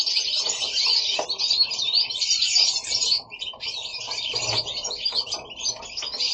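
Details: Pet goldfinches at home sing bursts of high, liquid twittering and buzzy trills, with a brief quieter gap midway before the chorus picks up again.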